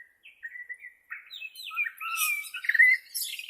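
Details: Bornean white-rumped shama, original voice meant for therapy of captive shamas: soft whistled notes build into a dense, fast, high twittering phrase with bright sweeping notes.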